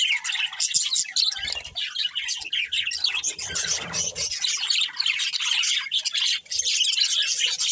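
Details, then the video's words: Budgerigars chatter in a dense high twitter mixed with harsher squawky notes, a softer lower-pitched murmur briefly joining near the middle. "Cute Budgies Chirping Sounds"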